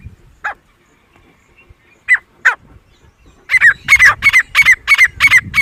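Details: Grey francolin, known locally as titar, in jungle: a few spaced single calls, then a rapid, regular burst of loud, harsh, ringing notes repeated about three times a second.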